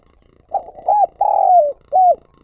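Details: Spotted dove decoy cooing, recorded as lure calling for training decoy birds: a short soft coo, an arched note, a long sustained coo sliding down at its end, then a final arched coo, all low and mellow in a quiet setting.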